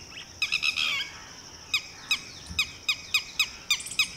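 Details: Titehri, the Red-wattled Lapwing, warning its newly hatched chick to hide: a short scratchy outburst followed by crisp, piercing notes given singly at a steady pace, roughly three per second.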